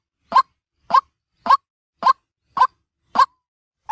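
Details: White-breasted waterhen call used as a daytime lure for trapping. Clipped, gruff croaks repeat evenly about every 0.6 seconds, seven in all, against a quiet background.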